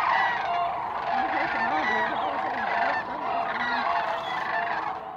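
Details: A flock of Sandhill Cranes in flight at Hiwassee Wildlife Refuge on December 29, just after sunrise, calls together in a steady, overlapping chorus of rolling, trilled bugles that waver up and down without pause.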